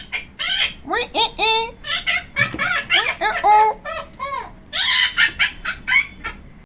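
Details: Female Yellow-collared Macaw kept as a pet, hiding in a cabinet and producing strange vocalizations: a busy stream of short, squeaky, nasal notes of varying pitch, chattered rapidly with uneven spacing.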